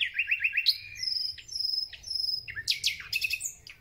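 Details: Thrush nightingale singing at the start of spring: five quick identical whistled notes, then long high pure whistles, ending in loud rattling, clicking phrases.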